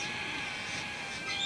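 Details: A wild, just-fledged Sulphur-crested Cockatoo at Cromer, Sydney, gives a harsh, raspy, unbroken begging screech held steady for over a second, calling its parents to feed it.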